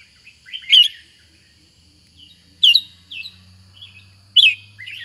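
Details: Red-whiskered bulbul, a kept songbird, gives three short loud phrases of liquid whistled notes, spaced roughly two seconds apart, with quieter chirps between and a low droning hum in the background.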